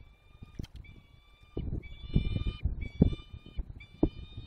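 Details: Peregrine falcons calling at their nest site around the start of breeding, Barycz Valley, Poland, 13 March 2022, 2 pm: long, level, whining tones repeated with short gaps, alongside low rumbling and several sharp knocks.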